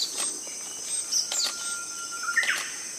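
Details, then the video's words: A banded pitta gives a brief, clear whistled note, preceded by a faint, long, level tone, over a steady high buzz of insects. "Banded Pitta"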